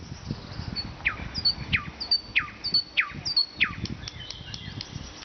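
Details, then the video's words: Nightingale in Vologda, Russia, singing a repeated phrase: a high note dropping into a steep descending whistle, given five times at roughly even intervals over a low background rumble. "Пение соловья"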